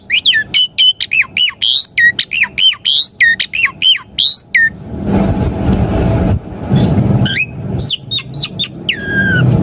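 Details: Asian pied starling song played to draw answers from caged birds: a fast run of repeated sharp hooked whistles, then a pause in low rumbling noise, followed by scattered squeaky notes and a falling whistle.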